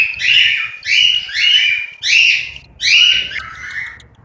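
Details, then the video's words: Cockatiel nestlings in Juazeiro do Norte, Ceará, Brazil, producing five loud, raspy rising squawks about every three-quarters of a second, the last trailing into a softer note. "FILHOTES DE CALOPSITA"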